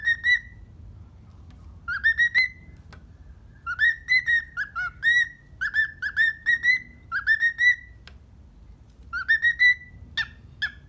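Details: Happy pet cockatiel in the morning, whistling in short rising, wavering phrases of several rapid notes each, separated by brief pauses, over a quiet low indoor hum.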